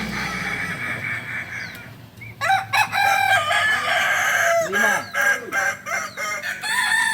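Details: Competing kukuak balenggek roosters at a crowing practice in Panyakalan, Solok. A crow fades out, then a busy run of loud, choppy crowing follows, mixed with people talking.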